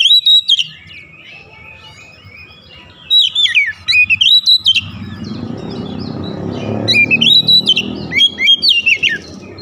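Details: Kacer (oriental magpie-robin) song played to rouse other birds: repeated bursts of loud, warbling, rising and falling whistles, with a rushing background noise in the middle.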